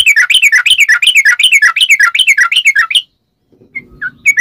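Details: Long rolling trill of a yellow-vented bulbul, a lure to set other bulbuls singing: fast warbling notes swinging up and down in a wavy chain for three seconds, then silence and a few scattered chirps.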